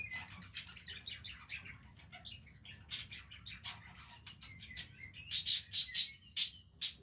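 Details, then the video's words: Budgerigars playing with each other keep up busy, overlapping warbled twittering and soft whistles, ending in a series of loud, harsh squawky chirps. "Beautiful Budgies playing with each other"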